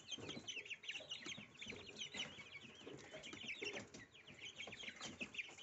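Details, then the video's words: Little goslings with their breakfast of dill, giving a continuous crowded chatter of high wavering peeps from several chicks, over light pecking and rustling. "завтрак маленьких гусят - укроп. Breakfast of little gosling dill. Desayuno de pollitos eneldo."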